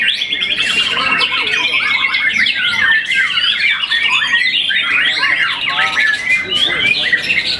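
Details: Young contest-winning White-rumped shama, after its first moult, keeps up a dense, energetic song of rapidly changing whistles, zigzag slurs and chattering trills with no real break.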